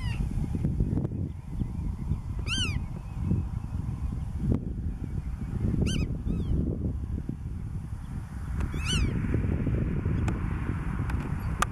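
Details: At Marken in June 2020, a black-tailed godwit gives three spaced nasal calls roughly three seconds apart, each a quick rising-falling note rich in overtones, with persistent low wind noise and faint clicks.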